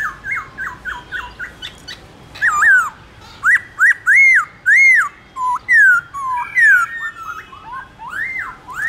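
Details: Black-throated laughingthrush in morning fighting song for training other birds: quick repeated clipped whistles, a harsh squawk, then strong arched whistled notes and jerky twisting phrases.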